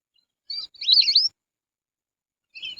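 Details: Lesser whistling duck calling, a recording used to lure the birds: a short whistle, then a louder tumbling phrase of rapid up-and-down whistled notes, and another phrase starting at the end, against silence.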